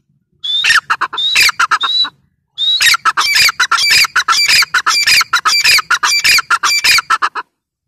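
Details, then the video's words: Dakhni teetar, a grey francolin, calling loudly: harsh, strident notes in fast irregular runs, a brief pause after two seconds, then a long rapid series of ringing squawks ending sharply; no other clear sounds. "Teetar sound | dakhni teetar sound | teetar ki awaz"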